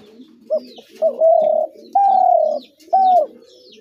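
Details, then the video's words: Spotted dove cooing: a short note, then three sustained, slightly falling coos spaced about a second apart, over a faint low hum. "তিলা ঘুঘুর আরজিনাল ডাক"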